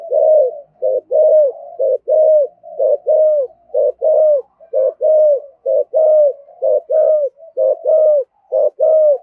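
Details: Spotted dove cooing in the 'thổ' voice style used to provoke other doves into calling. Dense, evenly spaced, hollow coos repeat about every second without a break, each a clipped note leading into a drawn-out, slightly falling one.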